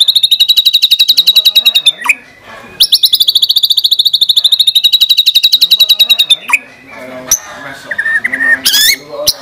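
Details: Murai batu song with 'tembakan' shots: two extended bursts of fast, evenly pulsed high trill notes, ending in scattered whistled notes and sharp clicks.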